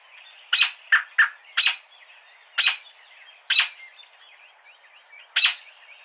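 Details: Abrupt, loud peek and tut calls of an American robin (Turdus migratorius), a rapid burst of four notes followed by single calls about a second apart, with faint twittering behind.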